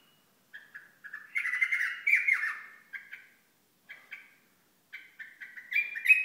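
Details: {'caption': 'Hasawi bulbul giving short, slightly harsh warbled phrases in a mid-high pitch, broken by pauses. A louder, rougher run comes near the start, with a few rising notes at the end. No other sounds are heard.'}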